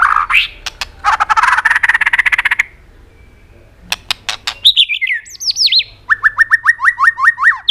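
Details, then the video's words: Many-voiced white-rumped shama song with tail clicks, used to excite other birds into singing: a long harsh buzzing burst, a pause, clicks, then falling whistled slurs and a fast run of repeated short notes. "kích chòe lửa hót cực sung.chòe lửa hót tạch liên tục kích thích chim ức chế"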